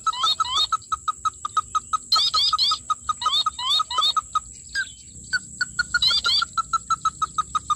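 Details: Red-legged crake being lured and trapped: a steady series of short, clipped mid-pitched notes, about three per second, with bursts of higher twittering chirps mixed in and a constant high electronic hiss.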